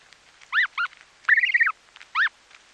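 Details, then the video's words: Snow goose chicks feeding at close range: clear high peeps, a quick double note, then a longer quavering trilled call and another peep, with small crisp sounds of grass being pulled out. "Snow Goose Calls / Snow Goose. Calls CU From Chicks Feeding, Sounds Of Grass Being Pulled Out."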